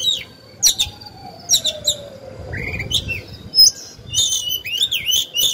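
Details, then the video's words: Decoy oriental magpie-robin in captivity singing to incite other birds: scattered sharp chips and clicks, a low descending whistle, then a burst of rich warbled high notes at the end. "Chòe than hót hay, luyện mồi, kích bổi"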